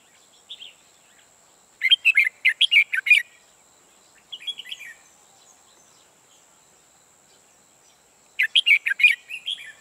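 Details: Decoy red-whiskered bulbul for trapping delivers two loud bursts of rapid chattering notes separated by a quieter short phrase and several seconds of near silence; a thin steady high tone runs throughout.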